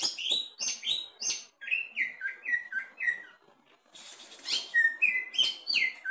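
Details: Greater green leafbird tested at the bottom of the cage sings an animated phrase: sharp high chips, a run of whistled slurs, a short pause, then a harsh burst and more rising whistles.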